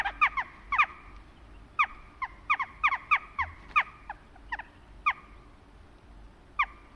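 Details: Western jackdaw calls in autumn: short, sharp, clipped 'chack' notes given singly and in quick pairs, irregularly spaced over several seconds, against a quiet background.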